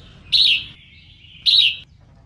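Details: Female red-whiskered bulbul singing to stir up males: two loud, bright, slurred notes about a second apart, each trailing into a softer ringing tail, over a quiet background.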